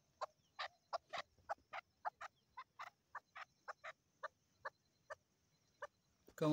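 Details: Female chukar partridge calling: a steady series of about fifteen short, harsh clucking notes, roughly two to three per second, spacing gradually widening toward the end, then a sudden loud burst of noise closes the recording.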